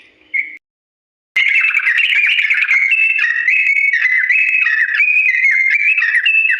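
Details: Yellow-vented bulbul giving a long, slow rolling song for imitation training: a brief whistle, a second of silence, then a dense unbroken run of warbled whistles that jump between pitches.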